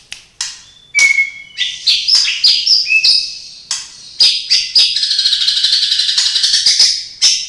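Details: White-rumped shama (murai batu) singing a mimicry-filled song with imitations of cililin, sparrow, lovebird and canary: sharp whistled notes and slurs, then a long dense rapid buzzy-chattering trill at high pitch, ending with a bright whistle.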